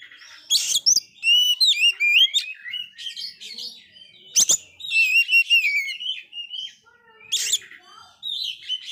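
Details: Oriental magpie-robin that failed to moult, singing very actively, used to stimulate dispirited magpie-robins; rich varied song of sweet whistled slides and warbles with repeated harsh rasping bursts, continuous through the recording, a faint low hum beneath.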